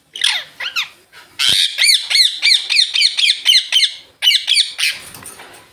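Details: Indian ringneck parakeets, green birds enjoying sunlight time, chatter in fast repeated screechy chirps, nearly four per second in a steady burst, each note arched and harsh, with a brief pause before a final flurry.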